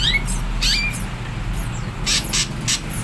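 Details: Greater green leafbird, a bird kept to lure and train young wild-caught birds, giving a harsh scolding chatter: short rising whistled notes, then loud noisy rasping bursts, over a steady low hum.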